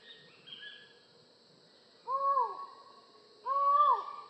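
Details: Collared forest falcon giving two loud, hollow, level 'aow' notes about a second and a half apart, each dropping sharply at the end, after fainter higher notes early on.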